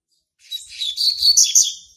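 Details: Territorial song of a young male Double-collared Seedeater hatched in March 2019: a continuous, rapid chatter of high, slightly buzzy notes that builds in loudness over about one and a half seconds.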